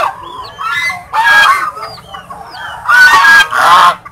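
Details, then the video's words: Domestic swans giving loud, coarse honks, each a harsh nasal blast, with several high, thin, dropping squeaky notes heard between them. "The Sound of SWAN"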